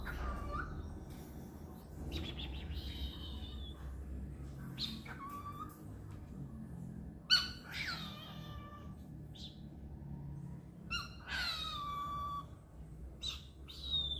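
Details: A male cockatiel flexing his big wings indoors gives repeated sharp, downward-sweeping chirps and short whistles over a low indoor hum.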